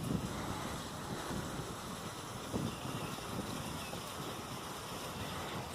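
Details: Soft wind buffets the microphone over a low outdoor hum, with no animal voice heard.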